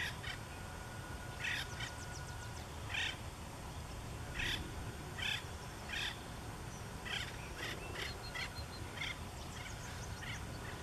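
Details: Acorn woodpeckers exchanging a coveted perch to call and display in Santa Margarita River riparian habitat: harsh, nasal, chattering calls in short bursts about every second, over a steady low rumble of wind or distant traffic.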